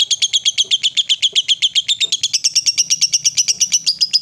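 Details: Long ngekek chatter from a female fighter lovebird, a call used to provoke rivals: fast, evenly repeated, shrill high chips, about four per second, in an unbroken stream for four seconds.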